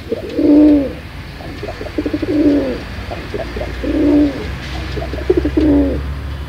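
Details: Pigeon cooing: low, throaty rolling coos repeated about every one and a half to two seconds, each swelling and fading, with faint clicks between and a steady low hum behind.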